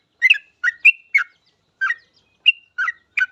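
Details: Yellow-vented bulbul singing energetically as a lure for other bulbuls: a quick group of four gurgling chirps, a short gap, then four more liquid, whistled notes. Quiet, clean background.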